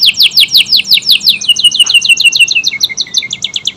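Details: Canary singing a long, dense performance used as tutoring material for magpie-robins and other songbirds; loud rapid descending notes repeated about three to four per second, running into a fast steady trill, then resuming quick downward chirps.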